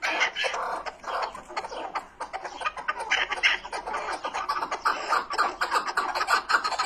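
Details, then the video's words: Busy chorus of chukar partridge calls, quick harsh clucks tumbling fast and overlapping, several notes a second over the whole stretch. "keklik sesi"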